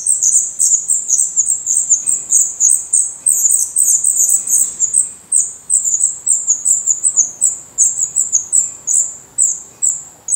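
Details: Black redstart young in the nest in Portugal, eyes open and growing definitive feathers, beg with sharp high hissed chirps in steady series, loud at first, then spaced wider and fading.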